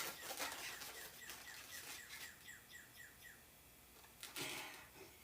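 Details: A Northern Cardinal singing outdoors in spring near a yard where birds are fed, heard from indoors: a fast run of clear, downslurred whistles, about three a second, over indoor rustling and rubbery balloon squeaks.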